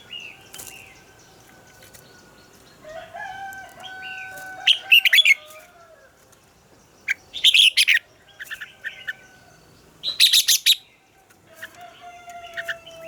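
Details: Red-whiskered bulbul morning song, described as the double-note song of a mature wild bird, used for voice training: loud, bursting chirpy phrases near 5, 8 and 10.5 seconds among long steady whistled tones and quieter twittering.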